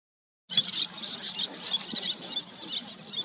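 Little tern chick giving thin, high peeps, short and irregular, several over three seconds, against a steady hiss of wind or surf.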